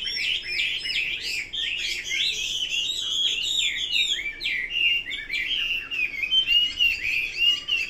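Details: Chinese hwamei delivering a dense, vigorous song of fluty whistles, sharp chirps and rolling slurred notes, pouring out without pause at strong volume.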